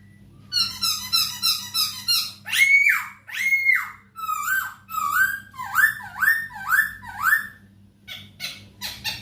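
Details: Masked laughingthrush song for tutoring captive birds: rapid buzzy stutter, loud descending swoops, then a long regular series of short slurred whistles, roughly two per second, ending in clipped notes; steady hum behind.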